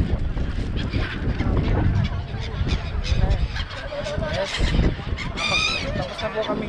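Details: A gull flock at the seaside district of Songdo, Busan, Korea. Raucous overlapping squawks end with one clear, drawn-out wavering cry. Heavy low rumble runs throughout.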